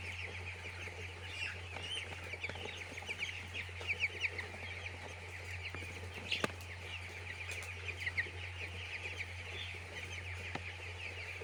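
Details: Crowd of chicks in a poultry farm peeping constantly, bursts of louder chirps around the middle, sharp knocks now and then, with a steady deep humming underneath.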